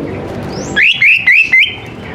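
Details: Greater green leafbird song meant to lure young birds into singing: four bright, rising-and-falling whistled phrases in quick succession, with a thin slide before them.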